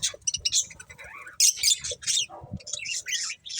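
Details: Corn-eating budgies give sharp chirps, a rising and falling warbled whistle, and a loud squawky burst, with faint low clicks of feeding.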